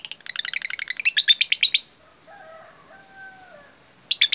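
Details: Lovebird "jeda rapat" song, used as training for other lovebirds: a fast run of high chattering pulses, then softer lower whistled tones in the pause, and a brief burst at the end.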